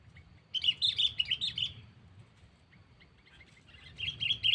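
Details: Sooty-headed bulbul calling a rival, a lure for catching birds without traps: a lively cluster of chirps, a quiet gap with faint notes, then another chirping burst over a low background rumble.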